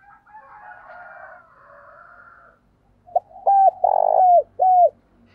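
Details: Spotted dove (Spilopelia chinensis), coo call: decoy calling to provoke rival males.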